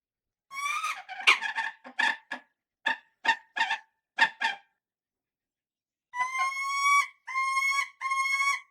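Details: Falcon calling with a quick series of short, sharp chips, then a brief pause. Three longer, clear, slightly rising whining notes follow.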